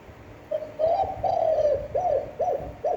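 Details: Spotted dove giving a standard cooing phrase used daily to train and stimulate other doves: soft low coos, two long drawn notes followed by three short rounded ones, against faint background hum.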